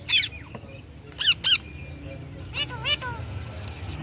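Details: Pet Indian ringneck parakeet calling: a harsh shriek, then paired rasping screeches, a pause and two more nasal, wavering squawks over a steady low background hum.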